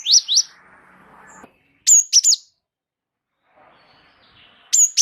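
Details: Java sparrow of the gelatik wingko type in full rolling song, used as a tutoring lure: short clusters of two or three sharp, high, slurred chirps separated by brief pauses and faint rustling.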